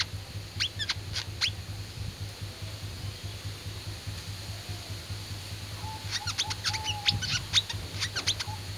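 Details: Fighting-type oriental white-eye giving scattered high, thin chip notes, then a dense twittering run near the end; a few low, level whistled tones sound alongside, all over a constant low hum.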